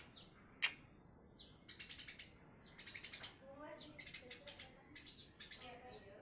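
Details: Male tree sparrow chirping: one loud sharp note, then groups of bright high chirps with a few lower tonal notes between them, all in an irregular stop-start pattern.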